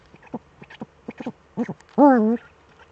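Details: Eurasian eagle-owls in the Eifel, Germany, both birds back, evening of 11 March 2013 at 18:47. A run of short soft notes and clicks is followed by one loud, drawn-out wavering call that dips and rises.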